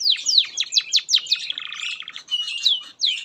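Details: Canary singing as master material for young birds: quick descending whistled notes followed by a lower buzzy rolling trill, then a few more high sweeps.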